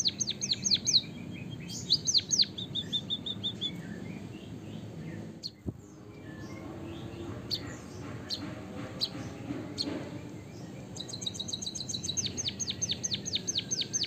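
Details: White-headed munia of Java, kept as a songbird, with canary song mixed in. Quick series of sharp, high, down-slurred chirps comes at the start, near two seconds, and again from eleven seconds on. A quieter, noisier stretch fills the middle.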